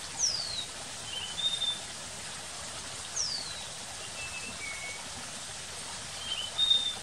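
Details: A slaty-backed nightingale-thrush (Catharus fuscater) gives thin, high whistled phrases: a falling slur then short pure notes, repeated about every three seconds over a steady rush of running water.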